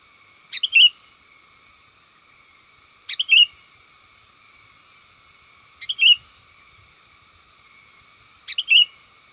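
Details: Sooty-headed bulbul, a lively singer, calling to companions, as used to lure wild bulbuls in forest: a short two-part chirp, a sharp tick then a slurred whistle, repeated four times about every two and a half seconds against steady faint hiss.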